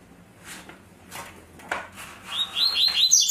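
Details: Captive double-collared seedeater in the tui-tui zel-zel song style: after a quiet stretch with faint thuds, a fast run of high, sharp whistled notes rises in loudness through the final second.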